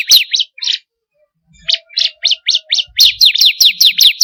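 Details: 'Kristal' bar-winged prinia for training kept birds: a few scattered shrill notes, a silence, a slower series of evenly spaced chirps over a faint low hum, then a quick run of sharp descending notes.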